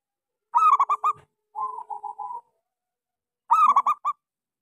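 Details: Local zebra dove with a small voice, a keen singer used as a lure for doves that have stopped singing. A bright rapid coo phrase, then a softer even run of pulsed coos, then another bright phrase.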